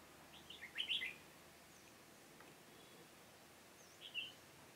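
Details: Decoy red-whiskered bulbul singing at a trap for wild birds, Hòa Bình, Vietnam, 18 November 2017. A short lively warbled burst early on, quiet gap, then a single brief chirped phrase near the end.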